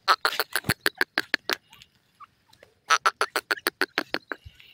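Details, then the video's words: Dakhni and Irani Teetar (francolin) calls: two rapid bursts of harsh, cackling notes, about a dozen to each burst, with a short pause between them. "Dakhni and Irani Teetar Calls"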